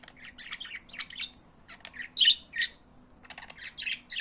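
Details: Pet budgerigars singing: a busy chatter of short squawky and chirping notes in quick bursts, some harsh and scratchy, with brief pauses between phrases and a faint low hum underneath.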